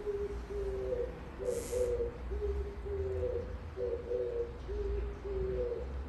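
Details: Outside the window an Oriental turtle dove sings a rhythmic string of deep, grating coos, short phrases alternating in pitch, with a brief high hiss near the start and low rumbling background noise.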